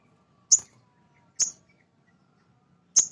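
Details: Male sogon, a small nectar-eating bird, calling to stir untrained birds into singing: three sharp, high, downward-slurred notes spaced about a second apart, with a faint low hum behind.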